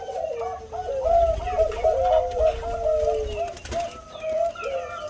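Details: Bangkok-type zebra dove (perkutut bangkok) prized for its big voice, giving a mellow trilled cooing phrase of rolling, stuttered notes that ends with a long falling coo, over a low background rumble.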